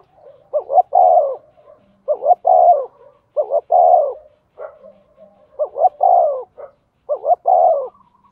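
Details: Spotted dove kept as a decoy to draw wild birds, cooing at speed: short double notes leading into a longer slurred descending coo, repeated roughly every 1.5 seconds, quiet background.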